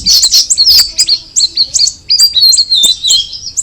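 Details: Cucak rawis, known in English as Straw-headed Bulbul, singing loud high notes at first, then an even string of short downward-curving whistles repeated about every quarter second.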